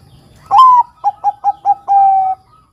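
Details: {'caption': 'Bangkok-type zebra dove singing, used as a lure to prompt young males to sing: a long mellow coo sliding slightly down, four short clipped coos, then a long steady closing note. Faint low rumble underneath.'}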